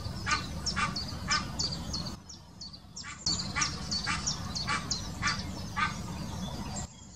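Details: Egyptian goose mating call in the Wittlicher Senke, 2018: rapid series of harsh, honking calls, breaking off briefly near the two-second mark and then resuming, over a steady low rumble.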